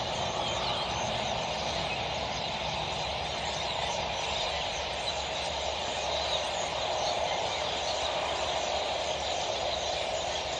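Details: Common starlings in November 2018 at Cembranos: a dense, unbroken wall of overlapping chattering and squeaky notes from many birds, steady in loudness throughout.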